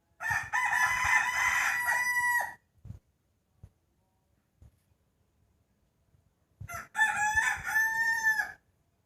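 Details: Rooster crowing at dawn on the eve of New Year 2020: two long, loud, strained crows about six seconds apart, each rising and holding a rich harmonic tone, with quiet pauses and faint knocks between.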